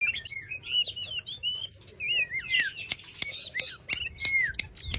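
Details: Oriental magpie-robin giving a relaxed 'ngobra' song, used to coax a quiet bird into singing: varied whistled, slurred phrases rising and falling, repeated without pause, with sharp clicking sounds scattered throughout.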